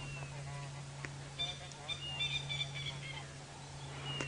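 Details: A coqui francolin in Djuma Game Reserve, Sabi Sand, South Africa, during an afternoon safari drive on 30 November 2017, gives a run of harsh, nasal, repeated notes with a steady low vehicle hum underneath and faint talking.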